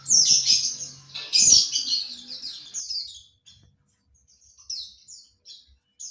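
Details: Ngriwik chatter of a white-eye (pleci), played to train kept birds: two loud, high, rapid twittering phrases open, then the chatter thins into scattered soft high chirps against a near-silent background.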